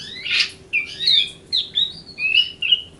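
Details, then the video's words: Grey-cheeked bulbul riwikan song, a short sequence of a harsh note then several slurred whistles, each about half a second long. "Riwikan Burung Cucak Jenggot"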